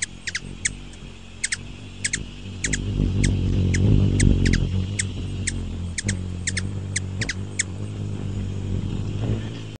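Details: Ruby-throated hummingbird repeating high, sharp single and doubled chips at irregular intervals of about a second, over a low, rumbling background.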